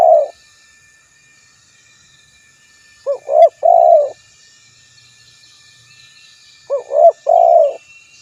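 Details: Spotted dove giving a cooing call: a short rising note, then two longer hollow coos, the phrase repeated after about three and a half seconds, with a faint steady hiss in the background.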